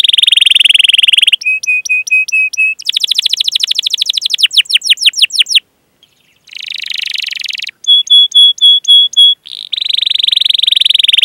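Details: Training song of a canary, played to draw young and non-singing canaries into song: buzzy rolls, a row of short level whistles, a fast trill of descending notes, a brief pause, then more whistles and a buzzy roll.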